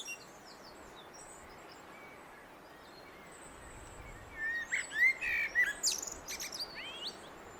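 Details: Common blackbird singing: after a quiet stretch of background hiss, a short burst of mellow whistled notes mixed with thin, high twittering squeaks in the second half.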